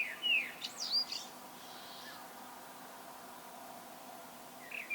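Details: Solo blackbird song: one short whistled phrase with a squeaky high end, a long quiet pause, then the start of the next fluted phrase.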